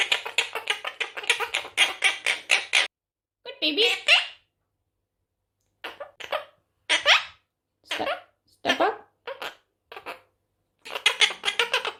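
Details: A talking monk (Quaker) parakeet playing peekaboo chatters in rapid, buzzy, speech-like syllables, then gives short clipped words such as "peekaboo" and "hello" and squawky bursts separated by pauses.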